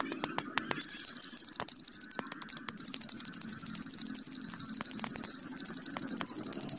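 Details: Hill prinia performing its extended 'bren' trill as a master song: a few sharp ticks, short bursts of high rapid notes, then a steady unbroken run of very high pulsed notes lasting about four seconds.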